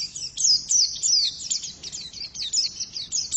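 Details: High, thin twittering song of a female white-eye, with sharp downward-slurred chirps repeated in quick succession over a faint low background hum.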